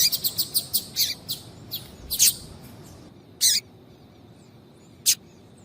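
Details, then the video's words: Female double-collared seedeater calling repeatedly to stimulate a male into singing; a quick series of sharp high chirps, then scattered single chirps with pauses. "fêmea de Coleiro Chamando Muito para Esquentar Coleiro"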